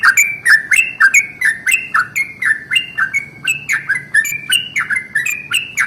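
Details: Long rolling morning song of a yellow-vented bulbul, used to stir other bulbuls into song: steady, rapid string of chattering liquid notes, nearly four per second, each starting with a sharp click, with no pause.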